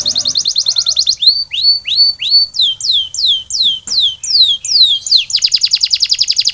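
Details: Canary singing after molting: a quick high trill opens, followed by a series of slurred whistled notes that each drop in pitch, repeated roughly every third of a second, ending in a rapid rattling roll.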